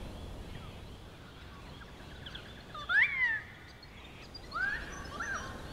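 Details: A young Wedge-tailed Eagle at sunset in Plenty Gorge near Melbourne, after a hot day in a light breeze. Two thin whistles sound, the first rising then sliding down, the second a short upward slur, over soft breezy background.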